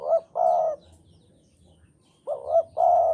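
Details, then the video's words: Javanese spotted dove in strong breeding mood, cooing persistently: soft, hollow coos in pairs, a short rising note followed by a longer level one, the pair repeated after a pause of about one and a half seconds. "Derkuku Jawa Gacor Birahi Keras"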